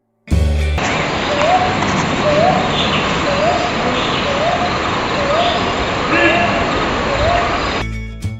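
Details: Soft, rising hoots from a Brown Hawk-Owl (brown boobook), repeated about every two-thirds of a second, at Diya Saru Park, Colombo, Sri Lanka; a steady hiss and background music partly mask them.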